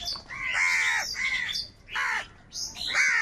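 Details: Angry crows squabbling over food: a quick run of raspy, drawn-out caws, four loud, overlapping bursts in about three seconds.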